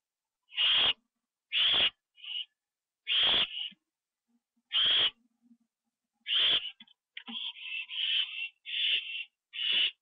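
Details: Owls at a nest on an October 2011 night, a bird delivered and eaten inside; loud harsh screeches alternating with shorter rasps, ending in a rapid run of overlapping hissing calls.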